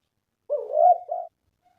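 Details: Spotted dove coo played as a lure for doves: a single soft, low, drawn-out coo followed by a short second note, quieter than the other phrases.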